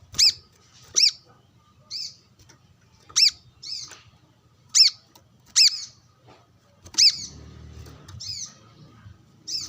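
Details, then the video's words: Brown-throated sunbird giving its rival-calling notes while sunbathing with wild birds: a steady series of about ten shrill, clipped high chips, one every second or so, and a brief low rumble near the end. "Kolibri kelapa | manggar gacor narung bersama burung liar"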